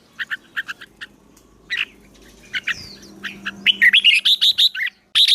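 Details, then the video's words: Songbird in fighting-song training to stir up a newly caught bird: spaced single chirps at first, then a quickening run of bright, rising whistled notes ending in a loud burst, over a faint hum. "Luyện chim hót đấu, kích bổi lên lửa"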